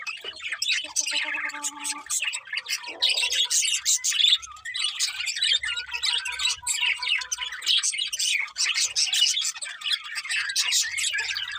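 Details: A chorus of birds in the morning: continuous bright twittering with some short whistled notes early on, building into thick overlapping chatter.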